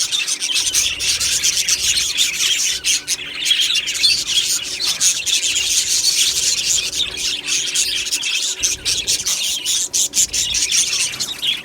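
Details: Budgies chattering in a colony aviary, 1 July 2025: constant high raspy warbling and chirps from a crowd of birds, with brief pauses and scratchy notes.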